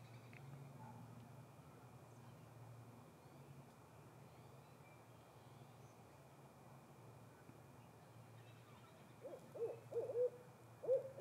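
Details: Female Barred Owl answering her mate with hoots of her own: after a long quiet stretch with low steady hum, a short burst of several mid-pitched hoots comes in the last two seconds, loud and uneven in rhythm.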